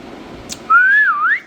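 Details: Indian ringneck parrot giving one long, clear, pure whistle that rises slowly, dips, then climbs again, lasting under a second, after a faint click.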